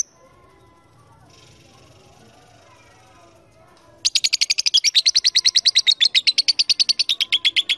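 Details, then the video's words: Lovebird calling to a rival, used as a lure to prompt long chattering; after four seconds of near quiet, a loud, rapid rattling chatter of harsh notes starts abruptly and continues to the end. "LOVE BIRD MEMANGGIL LAWAN AGAR RAJIN NGEKEK PANJANG"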